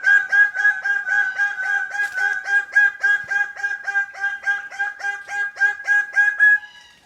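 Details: An excited greater bird-of-paradise repeatedly interrupts a presenter on camera, giving a loud, nasal, ringing note about four times a second in an unbroken run.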